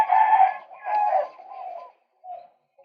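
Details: Loud, grating croaks from a male white-breasted waterhen, recorded to lure birds. Two strong rasping bursts lead into a fading string of nasal notes and a couple of soft single kwaks.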